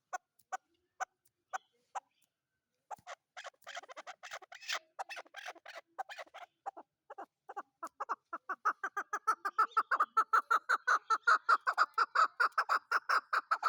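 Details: Chukar partridge, described as a desi and hunter chakor, calling: a few sparse clucking notes at first, then a dense series of throaty chuck notes that quickens and grows louder, building into a steady, rapid rhythmic chatter.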